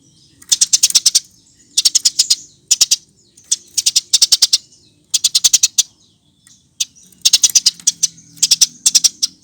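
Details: Eurasian tree sparrow in energetic song, used as a lure recording to train other birds: repeated short bursts of quick, sharp, high chirps in clusters about a second apart, with brief silences between them.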